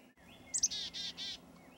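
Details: Chickadee near Fergus, Ontario, early 2008: two quick high, clear notes, then three buzzy, harsh 'dee' notes in an even row, over quiet rural background.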